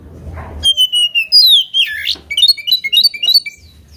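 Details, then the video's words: Oriental magpie-robin in loud, lively song meant to provoke a rival: clear whistled phrases, some sliding down, others rising, followed by a quick run of short chirped notes, after a low rumbling sound at the start. "KACER GACOR BIKIN EMOSI LAWAN,PANCINGAN KACER EMOSI BIAR NGOBRA"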